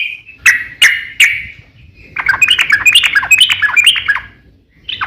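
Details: Yellow-vented bulbul, recorded as a lure to draw other bulbuls into song: three separate sharp, harsh notes, then a lively tumbling chatter of quick whistled notes, ending with one more call.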